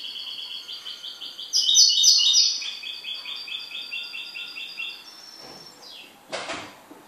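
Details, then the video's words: A pet goldfinch sings a rolling, pulsed high trill with a louder twittering burst in the middle, a short high whistle, then a dull knock near the end. "MI JILGUERO"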